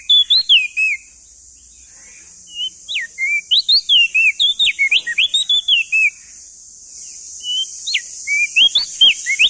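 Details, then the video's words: Male crested white-eye from East Nusa Tenggara, recorded as tutor song for young birds: long, rapid chains of clear whistles sliding up and down, pausing briefly before another burst, over a persistent high hiss. "Masteran Burung Opior Jambul Muda Biar Cepat Gacor Rajin Bunyi Siang Malam"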